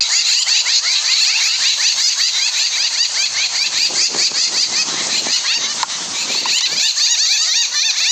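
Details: A flock of Jungle Babblers in Kundapura, India, makes a dense, unbroken wall of harsh, squeaky 'kya kya' chatter, with many overlapping calls tumbling over one another without pause, like a quarrelsome group.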